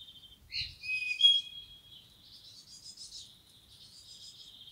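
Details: Clean recording of a common blackbird in the wild: a brief note, then a loud rich whistled phrase followed by a long softer tail of high, scratchy twittering, with almost no background noise.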